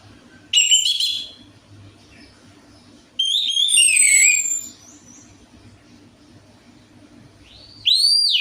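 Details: Lure song of an Orange-headed thrush for getting a silent bird to sing. Separate phrases of bright whistles with quick rising and falling slurs are broken by quiet gaps, and a steady low hum sits in the background.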